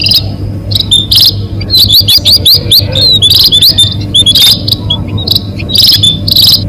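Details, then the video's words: Munia lure call used for catching birds: dense, high, thin chirps and short rising whistled notes in rapid bursts, with several birds calling over one another above a steady low hum. "SUARA PIKAT BURUNG BONDOL ATOU BURUNG PADI"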